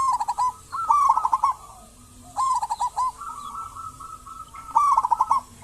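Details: Active local zebra dove song, meant to lure other zebra doves into calling: loud gurgling trilled bursts separated by drawn-out series of quieter, rapid, even notes, with three strong phrases in quick succession.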